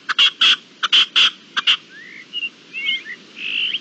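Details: Red-legged partridge call recorded on 25 April 2021: about eight rasping, broadband notes in quick, uneven pairs, followed by thin rising and looping whistles from other songbirds.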